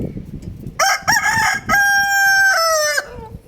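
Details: Rooster on a roof with a hen, giving a loud crow: two short rising notes, then a long sustained harmonic note that drops at the end, with faint background rustling.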